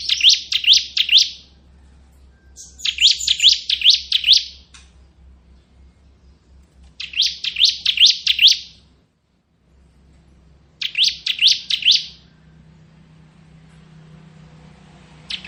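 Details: Bar-winged prinia, a crystal-type bird singing in a rapid "ngebren" style, used as a tutor song for magpie-robins: bursts of five to six fast, high, sweeping notes, each burst lasting about a second, repeated every two to three seconds, with a faint low hum underneath.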